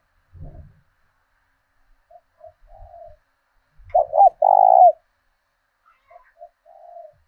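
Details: Decoy spotted dove with a southern Vietnamese thổ đồng-style voice, kept for luring wild doves and urging them to fight. Soft, low coos, then a loud two-part hooting coo midway, then fainter coos again; a low thump at the start.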